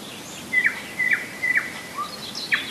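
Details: July 2011 nightingale song from Rassudovo near Moscow: four sharp, emphatic notes spaced about half a second apart, with a soft low whistle between the last two.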